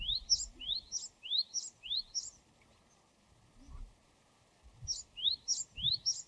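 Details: Japanese tit (Parus minor), wild, singing: a run of four clear rising two-part whistled phrases repeated quickly, a short pause, then three more alike; faint low rumble beneath.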